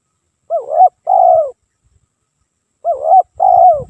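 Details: Nonstop spotted dove lure song: two identical phrases, each a wavering coo then a longer falling one, about two and a half seconds apart, with faint low thuds at the end.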